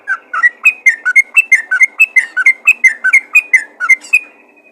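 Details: Rapid, tumbling sequence of yellow-vented bulbul notes calling other bulbuls, alternating lower and higher whistled syllables and finishing with a sustained high whistle.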